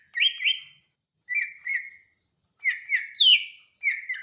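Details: Greater green leafbird repeating paired, rich whistled notes in short bursts separated by silent gaps of about a second, phrases slightly varying in pitch, recorded cleanly without background noise.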